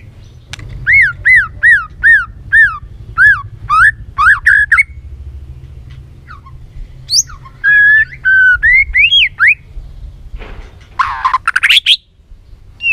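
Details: White-rumped shama singing many-voiced song: a rhythmic series of arched whistled notes, then a quieter stretch, then varied rising and falling whistles ending in a rough, buzzy flourish.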